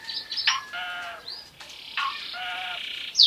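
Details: Asian pied starling (Jalak uren) from Lampung in a varied, rambling song of nasal harmonic notes, buzzy phrases and quick rising whistles, ending with a sharp high squeal.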